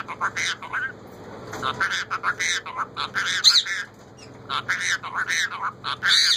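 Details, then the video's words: Female Indian ringneck parakeet, a captive-bred pet, talking and asking for bread with the phrase "roti dedo"; nasal, harsh speech-like syllables come in short bursts with brief pauses, and a low steady hum sits underneath. "ringneck parakeet female says roti dedo"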